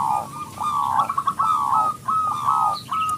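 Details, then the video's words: Local zebra dove, a loud singer used as a lure to get other doves singing, gives a series of clear whistled notes near one pitch, slightly rising, in short linked phrases. "perkutut lokal gacor suara besar pancingan super ampuh"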